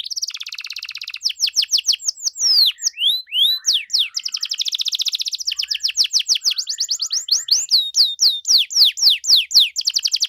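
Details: Canary singing a busy ornamented song meant to provoke other canaries into responding, long runs of rapid high sweeping notes, some slurred downward whistles, and dense trilled passages repeating several times a second.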